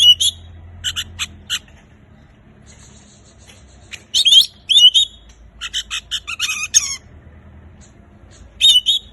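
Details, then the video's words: Oriental magpie-robin song meant to get silent birds singing: bursts of sharp chirps and short whistled notes around the upper range, separated by pauses, with a faint low hum beneath. "Kacer gacor terbaru paling ampuh untuk mengatasi Kacer bisu cepat bunyi"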